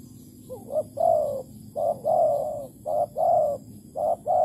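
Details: Malaysian spotted dove during plain-bait trapping, 11.08.2020; opens with a quick hiccuping double note, then full mellow coos alternating short and long, softly rising and falling.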